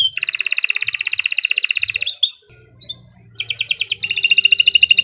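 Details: Song of a Kenari Nusantara canary. A long, very rapid buzzy trill breaks into a brief quiet gap with a few soft notes and a low hum. A second fast trill then starts.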